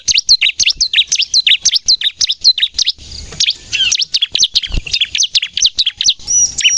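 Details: A bar-winged prinia in full 'nembak' song, used as a lure and to prompt untrained captive prinias to sing: a long run of high, sharp chirps about three per second, briefly broken by a pause near the middle.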